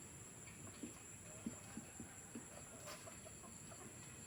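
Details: A free-range flock of F1 junglefowl, kept for breeding, give soft, low clucks, four or five brief notes spread over a few seconds, over a steady high whine and faint background rumble.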